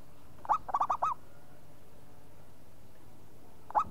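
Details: Local zebra dove answering at once: a quick burst of four or five short, hooked cooing notes, then a single similar note near the end, over a steady low background hum.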